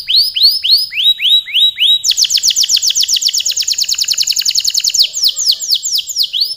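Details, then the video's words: Canary giving a long, lively song: slow arched whistled notes repeated, then a long rapid trill of high syllables, ending in slower swooping notes. "Suara burung kenari gacor kicau panjang"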